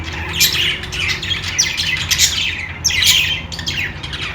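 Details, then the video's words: Budgies, Australian parrots, chirping and chattering: a steady stream of short, scratchy high notes and squawks with no pause, several birds overlapping, over a faint low hum. "Australian parrot singing | love birds sounds | parakeet chirping sounds | budgies playing sounds"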